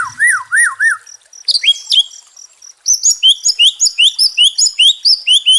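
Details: White-rumped shama song intended to restore a stressed bird's fighting mood: three looping whistled notes, a few sharp high chips, then a fast repeated series of rising upward-flicked notes, about two per second.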